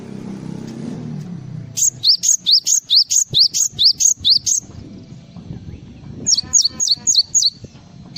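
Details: Java sparrow full filler song: after a low rumble, a fast run of about twelve high notes, each a short rising slur, repeated steadily, then a pause and a second shorter burst of five descending notes.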